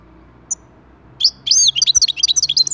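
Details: Singing European goldfinch, played to encourage other goldfinches to start singing; after a near-silent opening with a few isolated chips, a lively tinkling trill of quick, high, liquid notes begins.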